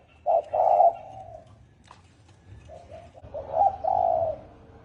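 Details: Spotted dove cooing in the 'thổ ồm' manner. One short-long coo pair opens, then a quieter gap with faint soft notes, then a second, slightly softer coo pair. Quiet background.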